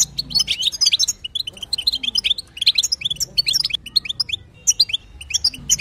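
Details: European goldfinch, female batbata chatter for stimulating a male to sing: lively clusters of sharp, high, liquid chirps and twitters, a pause before the fifth second, faint low hum behind.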